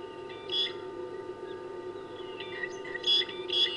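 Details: Fork-tailed drongos singing at 17:20 on 17 June 2019 at Kwa: short bursts of harsh, metallic notes mixed with a thin high whistle, a few seconds apart, over a steady low hum.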